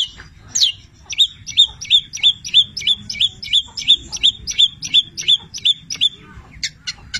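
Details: Long-tailed shrike (cendet), 'petir' type, singing a busy song filled with labet and canary mimicry. A sharp whistled note with a downward tail repeats about three times a second in a steady run, then a few buzzy notes over a low hum.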